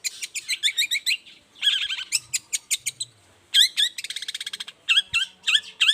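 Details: Long-tailed shrike in full morning song, used to lure other shrikes to reply. It gives varied repeated notes: even chip series, a scratchy phrase, a fast stuttering trill, and hooked whistled notes.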